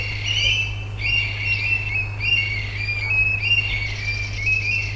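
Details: Two Eurasian Stone-curlews calling noisily together at night: loud, overlapping shrill wailing notes, repeated and run together in a continuous outcry, with a steady low hum beneath.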